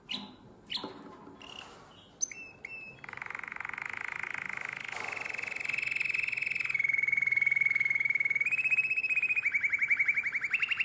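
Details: Canary singing in nightingale-voiced style, Drama, Greece, 2017: a few scattered sharp chirps, then a long unbroken buzzy trill that rises gradually in pitch and loudness, with a brief high whistle near the end.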